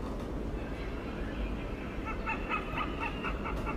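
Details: Hornbill in Singapore giving interaction calls: after a low rumbling start, a quick series of harsh, yelping, cackling notes repeats about four times a second against steady background noise.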